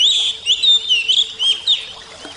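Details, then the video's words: Brief burst of oriental magpie-robin (kacer) song for bird training therapy with water sound: clear whistled phrases with slurred up-and-down notes, three or four loud bursts, then fading, over a faint steady hum. "terapi kacer suara air"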